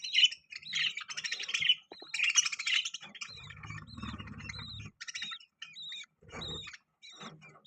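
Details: Several pet budgies chirp and chatter, mixing harsh scratchy warbles with clear rising-falling whistled notes repeated in quick succession, over a low background rumble at times.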